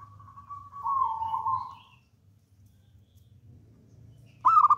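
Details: Zebra dove of local wild stock, a bold singer, giving a long, soft purring trill, a pause, then the start of a loud bubbling coo burst.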